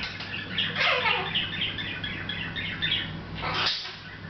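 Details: Pet Hahn's macaw chattering quietly to itself, unaware of being watched: a run of soft, scratchy, rapid chirps and mutterings, busiest in the first second, with a low steady hum underneath.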